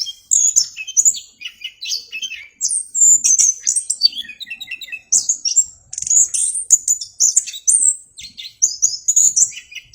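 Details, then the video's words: Orange-headed thrush in full clear song, loud high whistles and chattering notes strung into busy varied phrases, some dropping lower in pitch, with almost no background noise. "anis kembang gacor suara jernih"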